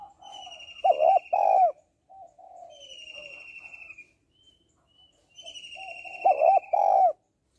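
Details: Repeated twice about five seconds apart, a female spotted dove's strong low coo phrase of a short note and a longer note. Gentle rolling coos and high descending whistles fill the gaps. The calling is meant to draw males.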